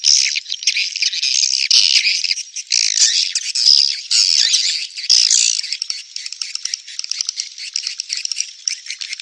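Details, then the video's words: Swiftlet mating call: dense, high, harsh chattering squawks and chirps in overlapping bursts, nearly continuous with brief gaps, slightly thinning toward the end; no other sounds. "SUARA WALET BirahiBeranak | the sound of swallow lust"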